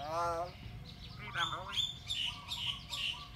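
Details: Pet talking myna: a harmonic, voice-like warbling phrase, then a series of wavering, squeaky whistled notes and rasping chatter at an irregular pace, with low room rumble underneath.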